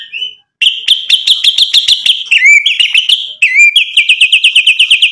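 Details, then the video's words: White-rumped shama singing persistently with mimicked material, used as a lure to provoke other shamas into answering: dense runs of sharp, rapidly repeated high notes broken by bright upslurred whistles. "MURAI BATU GACOR bikin EMOSI Langsung NYAUT BUNYI BONGKAR MATERI ISIAN ampuh buat PANCINGAN"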